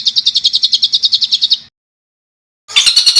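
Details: Songbird master recording for training competition birds, packed with rough 'isian kasar' shot notes: a rapid run of about a dozen buzzy high notes over one and a half seconds, a pause, then another dense harsh burst.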